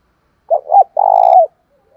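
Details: Lure spotted dove with a 'thổ pha' voice, calling to provoke wild doves into fighting: one mellow phrase of two clipped coos and a sustained, vibrating coo that slides downward, with a faint murmur afterward.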